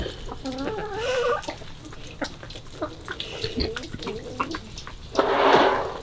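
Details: Chickens on a February 2022 morning: wavering, drawn-out hen calls in the first second and a half, then scattered soft clucks among clicks and knocks, ending in a burst of rushing, water-like noise.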